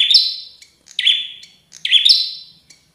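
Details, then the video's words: Prinia described as an aggressive, emotional fighting bird singing actively: three sharp, buzzy high phrases, each a quick rising flick followed by a drawn, slowly fading trill, spaced about a second apart, with brief ticks between them. "Prenjak Petarung Gacor Emosian"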